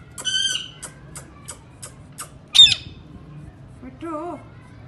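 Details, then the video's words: Rose-ringed parakeet, a pet bird said to talk in Urdu: a series of short sharp clicks, then one loud harsh squawk, then a softer wavering nasal call like a spoken word. "ringnaeck parrots speaking in urdu good Talking"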